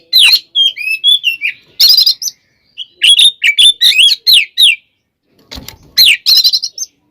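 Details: Oriental magpie-robin singing a combative provoking song: whistled notes and fluty slurs interleaved with harsh rasping bursts, grouped in lively phrases with a pause midway.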